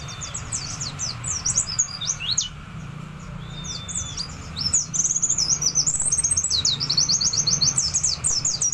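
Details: Group of wild white-eyes set for a singing contest; dense fast high twittering, about four notes a second, with a brief slurred whistle and low background rumble.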